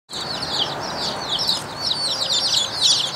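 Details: Rouen ducklings, a domestic duck breed, calling as a group: a dense chorus of high, thin, overlapping peeps, rapid and irregular, with a soft background hiss underneath.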